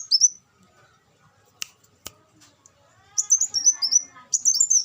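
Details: After a short high twitter and a quiet stretch broken by two sharp clicks, an olive-backed sunbird launches into a rapid series of thin, high, trilled twittering notes.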